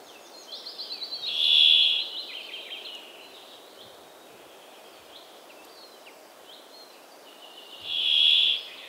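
A brambling gives a harsh, wheezy, drawn-out buzz, then repeats it about six seconds later. Thin chirps from other birds are heard in the background.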